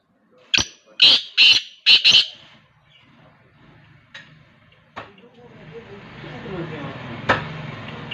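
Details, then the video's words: Desi black francolin (kala teetar) in open ground, attacking a man: a quick run of five loud, harsh, grating notes over about two seconds, followed by a few faint clicks and a soft background hiss. "desi Kale teetar ki awaz"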